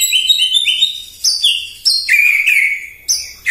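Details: White-rumped shama singing in the morning to provoke other birds: loud, ringing whistled notes, a rising series followed by strong sliding phrases repeated every second or so, with echo.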